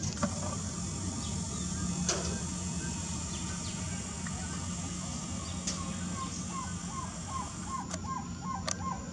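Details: Black-tailed trogon (Trogon melanurus) in the Brazilian Amazon calling a steady series of short, hollow mid-pitched notes, about three per second, over a low mechanical hum and high insect buzz.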